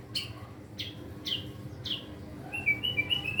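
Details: Young caged white-rumped shama practising a varied repertoire: four sharp descending chip notes, then a quick run of high whistled trilled notes.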